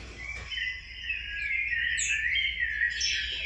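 A Rufous-bellied Thrush sings a steady, rambling warble of clear whistled notes, with a few thin, higher squeaks mixed in, over a quiet background.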